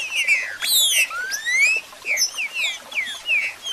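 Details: Captive Green-winged Saltator singing rich, clear whistled phrases that slide and slur up and down, delivered in quick bursts with little pause.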